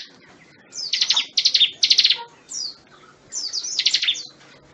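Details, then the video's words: Bar-winged Prinia giving high, rapid bursts of sharp trilled notes, repeated in quick phrases with brief pauses between them. "Suara ciblek gunung"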